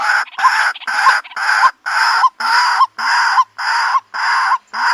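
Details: White-breasted waterhen female calling to attract a mate, giving loud rasping notes in a steady rhythm of almost two per second, each with a small upturned tonal hook.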